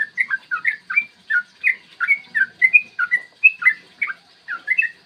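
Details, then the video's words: Clear morning song of a yellow-vented bulbul, used to goad other birds into singing and fighting: brisk chain of short whistled notes, slurred up and down, delivered almost without pause. "trucukan gacor TARUNG ROPEL PANJANG pancingan trucukan agar BUNYI dan EMOSI"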